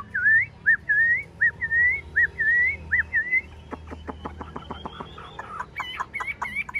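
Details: Tame, caged Chinese hwamei with a yellow bill, singing a series of short, rising whistled notes repeated about twice a second, followed by a burst of sharp clicking ticks and then more bright whistled phrases.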